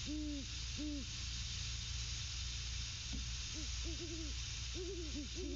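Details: Great horned owls calling to each other at the nest: two longer, even hoots open the clip, then after a pause a quicker cluster of shorter hoots, all low and mellow over a steady electrical hum.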